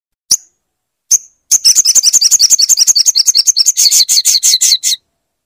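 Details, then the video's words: Caged crimson sunbird, played to get a silent bird singing: two sharp high chips, then a long rapid stream of high, buzzy, twittering notes lasting over three seconds, ending in harsher strokes. "pastikan sogon macet dengar suara ini"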